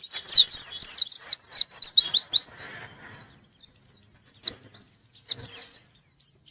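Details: Vigorous white-eye song aimed at a rival: a fast run of loud, high, slurred chirps for about three seconds, then softer scattered twitters and short thin notes.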